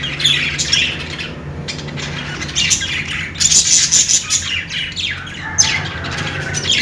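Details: Budgies chirping, high warbled chatter with sharp ticking notes and a cluster of rapid squawks midway, softer twittering toward the end.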